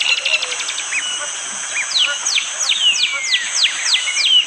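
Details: Bar-winged prinia, recorded by phone in rainy morning forest, Panggul, East Java, Indonesia. The hard, sharp song has a few short ticks and upslurred notes, then a long run of rapid, steeply falling whistled strokes, with continuous high background hiss.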